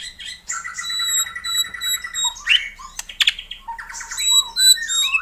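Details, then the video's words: White-rumped shama gacor song played to stir a silent caged bird: steady buzzy trills and high sustained whistles, broken by sharp loud clicks and short rising notes. "SIULAN MURAI BATU GACOR/ Suara Pancingan Burung Murai Batu Agar Bunyi RESPON CEPAT Atasi Murai MACET"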